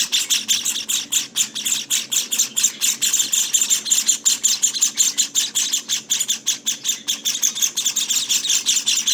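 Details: Nestling Java sparrows, 18 days old, give relentless begging calls: sharp, sizzling high chirps pulsing about twice per second in an overlapping chorus.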